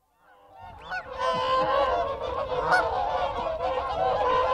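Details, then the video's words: Group of whooper swans giving contact calls at close range: after a brief quiet opening, a dense chorus of overlapping nasal, trumpeting honks builds and continues steadily, with wigeon and Canada geese calling in the background. "Whooper Swan. CU Contact Calls Of A Group."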